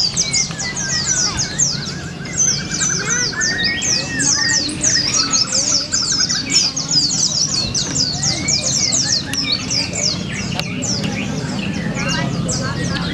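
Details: Many white-eyes in the pleci class of a songbird singing contest in Palopo sing together in a dense chorus of high, thin, rapid twittering phrases, with crowd murmur and a loudspeaker voice underneath.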